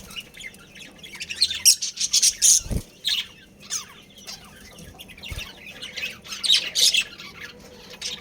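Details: High chirping and warbling chatter from a budgerigar breeding pair's family comes in uneven clusters, with a soft thump partway through.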